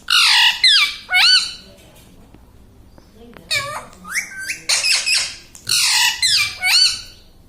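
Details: Talking parrot, a pet said to say "Sita Ram" and "mummy papa", uttering clustered nasal word-like syllables in two bursts separated by a quiet pause of about two seconds.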